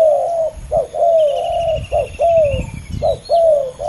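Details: Spotted dove, two competing males, loud close cooing: short notes alternating with longer slightly falling coos in quick succession, with a thin high trill from another bird in the background.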